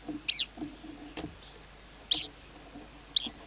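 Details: Caged lark kept by a Vietnamese bird keeper: a few sharp, high chirps spaced about a second apart, with light knocking sounds and quiet low background noise between them.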